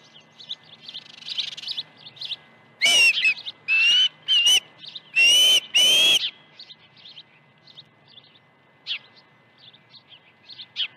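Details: Osprey at its nest at Dunrovin Ranch, 21 August 2019, morning of two fish arrivals at 7:05 and 7:31 AM. A burst of five loud, rising whistled notes mid-stretch, framed by faint scattered chirps from small birds.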